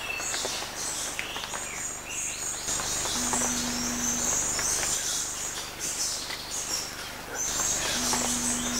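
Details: Umbrellabird recorded at Bilsa, Ecuador: two low, steady humming booms, each about a second long and roughly five seconds apart, beneath a dense, shrill insect chorus and scattered high bird chirps.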